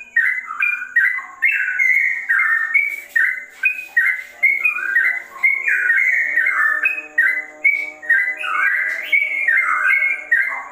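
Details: Sooty-headed bulbul in fast ropel song with a straw-headed bulbul flavour: over ten seconds of unbroken, gurgling whistled phrases, slurring up and down, about two notes a second, with a low steady hum beneath.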